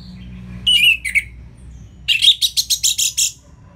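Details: Caged orange-headed thrush sings two slurred notes, then a rapid run of about eight loud, harsh chattering notes repeated evenly, over a faint low hum.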